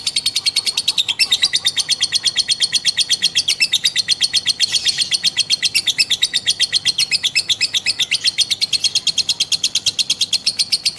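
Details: Female lovebird giving a long ngekek song: a rapid, unbroken rattle of sharp high chirps, about three per second, steady in pitch and sustained throughout, loud and clear with little background.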